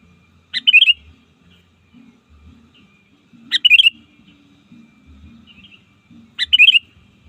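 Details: Sooty-headed bulbul lure song meant to draw opponents in the wild: three crisp phrases about three seconds apart, each a sharp opening note and rolling cluster of liquid whistles, with soft low knocks and hum behind.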